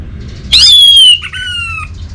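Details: Orange-headed thrush from northern Bali, Indonesia, giving one loud, long whistled note that starts high and slowly glides downward, breaking briefly before continuing lower, with a quiet low hum behind.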